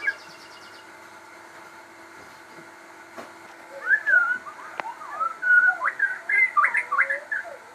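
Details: Crossbred captive shama in full song: after a quiet start, varied whistled phrases of slurred and rising notes around the middle pitches, delivered in quick bursts through the second half, with a steady background hum.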